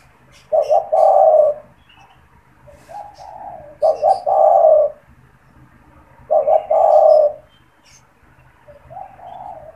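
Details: Spotted dove (tekukur), a caged bird that calls often, especially with people near its cage, used as a lure and to stimulate other doves: repeated low hooting coos in phrases of about one second, roughly every two to three seconds.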